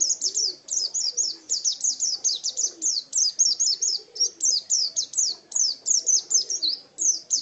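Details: White-eye (pleci) kept as a pet and contest bird: a quick, high, chattering series of sharp falling chirps, grouped in short clusters, with a soft low murmur in the background.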